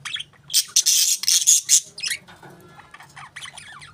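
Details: Budgerigars let out a harsh, buzzy squawking burst lasting about a second, then drop to softer, scattered chirps and faint chatter.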